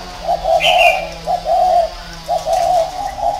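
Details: Round-caged decoy spotted dove in Vietnam giving three mellow, low coos about a second apart. A short higher whistle is heard during the first coo.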